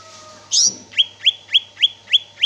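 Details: Greater green leafbird in full, lively song: a sharp squeaky note, then a rapid series of bright, downslurred high chirps about every third of a second, over a steady electrical hum.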